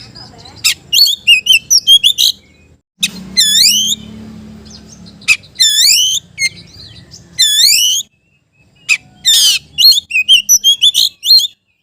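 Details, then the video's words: Oriental magpie-robin singing to call out a rival, used to prompt reluctant magpie-robins to answer: bursts of sharp chirps, loud rich upslurred whistles and rapid repeated notes, separated by short pauses, with a faint low hum. "KICAU KACER MEMANGGIL LAWAN"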